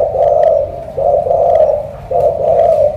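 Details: Spotted dove from Cà Mau, Vietnam, described as a powerful thổ cọp resembling a pigeon, giving rich, low coos in three drawn-out phrases with short breaks. Soft clicks are audible.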